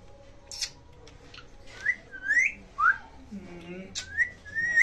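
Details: Pet ringneck parakeets in a cage imitate Hindi words like "mitthu", giving short rising whistles and squeaky mimicked syllables in quick, irregular bursts, with faint human speech and room sounds behind.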